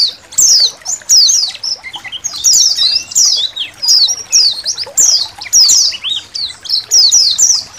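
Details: Colony of white-eyes recorded as training material for songbirds; loud, busy high twittering with rapid descending chirps and short trills repeating in close succession, nearly continuous, faint water in the background.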